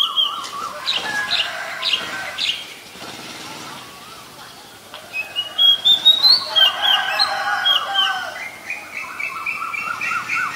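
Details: Oriental magpie-robin singing in the wild, a varied song of repeated warbled notes, a quieter pause, then loud rising whistles and rapid rippling phrases.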